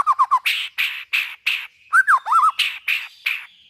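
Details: White-rumped shama song played to stimulate other shamas into singing: three quick whistled notes, then harsh rasping bursts alternating with looping slurred whistles.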